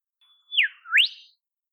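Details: Olive whistler of dense southeastern Australian forest: a steady high whistle that drops into a downslur, then climbs back in a smooth upsweep, clear against silence.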